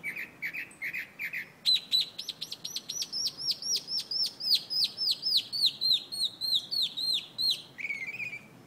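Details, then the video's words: Mockingbird (calandria) singing from the top of a chinaberry tree in Buenos Aires, Argentina, in August. A varied phrase: four lower clear notes, then a fast series of about twenty sharp, descending high notes, ending in a short lower trill. "Mockingbird / Calandria. Live video and sound"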